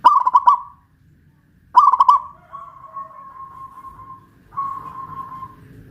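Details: Local Pajajaran zebra dove, hoisted in its cage in West Java, delivering two brisk cooing phrases of rapid pulses, then long steady humming tones.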